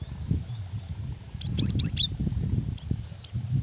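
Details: Female cinereous tit calling for the male: a quick burst of four thin, high downslurred whistles, then two isolated chirps, set against a noticeable low rumbling background.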